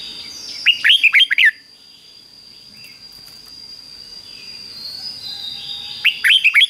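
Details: Red-whiskered bulbul, a cage bird, singing a 'double' (beul) style song of fik-jik-fok phrases, played to train young birds to copy: a quick burst of five or six bright whistled notes, heard twice, with a steady thin high tone behind.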